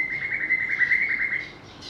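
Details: White-rumped shama, a varied songster, producing a fast steady trill of whistled notes at an even pitch, fading after about one and a half seconds into softer, higher twittering.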